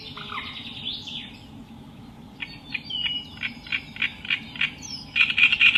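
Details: Acrocephalus reed warbler song, opening with a few scratchy rising notes, then a regular series of short harsh chirps, roughly three each second, ending in a denser chattering burst over a low background hum.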